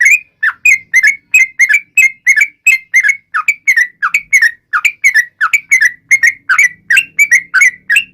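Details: Yellow-vented bulbul in energetic song meant to taunt opponents, a long unbroken series of short whistled and slurred notes, roughly three each second, with a quiet, clean background.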